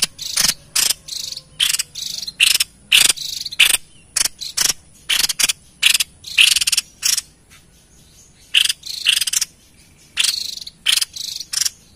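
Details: White-chested babbler in full, lively song, used as a lure for wild birds: harsh, buzzy broadband bursts, short and longer, delivered in irregular runs with brief pauses and a quiet gap near the end.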